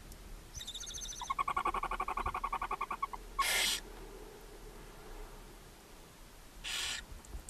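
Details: Owlets of a brood of seven barn owls, fed by their mother at a chimney nest box in Ságvár, Hungary, May 4, 2024; a buzzy pulsed trill lasting two seconds, followed by two separate rough hisses.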